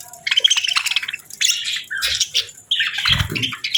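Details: Parakeets chatter over warm food on a cold winter morning. Scratchy warbles and squeaky chirps come in short phrases, alongside soft watery splashing and dripping sounds.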